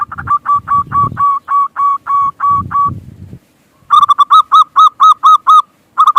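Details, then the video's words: Local zebra dove in lively singing form, recorded as a lure to make other doves coo: clear, even series of short mellow notes, about two per second, a brief pause, then a quicker, brighter run, with low thumping noises under the first half. "Perkutut Lokal GACOR Pikat Paling Ampuh Pancingan Cepat Bikin Perkutut Bunyi Manggungung"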